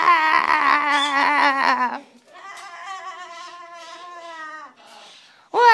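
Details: Cockatoo imitating "wazzup" after a bit of encouragement: a loud, wobbling, nasal drawl, then a softer, steady, sustained tone before a sharp closing squawk.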